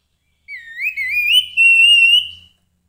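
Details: Grey-headed babbler giving one long, pure whistle that dips, wavers upward and then holds steady and bright for about two seconds, with a faint low hum behind it.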